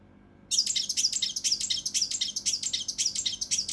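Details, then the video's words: Mountain leaf warbler song, used for training competition birds: a dense, harsh, rapid series of very high scratchy notes, roughly eight per second, continuous throughout. "TEMBAKAN KASAR RAPAT UNIK | SUARA CUCAK RANTE MAS UNTUK MASTERAN BURUNG LOMBA"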